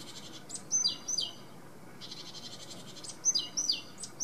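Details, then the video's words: A great tit sings bright, high two-note phrases, each note dropping in pitch, in short bursts about three seconds apart, over a faint buzzy background chatter. "Sýkora koňadra - The great tit (Parus major) - Zpěv"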